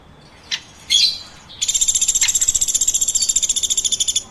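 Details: Woodpecker chirping: a couple of clicks and a brief high note come first, then a steady, rapid, high-pitched pulsed trill begins and continues to the end.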